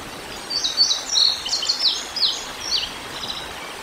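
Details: Juvenile bald eagle about 129 days old, down by the river in Decorah, Iowa, on 3 August 2022, calling while looking for its sibling, also heard. High thin chirps and short descending squeals come in quick uneven runs over steady outdoor noise.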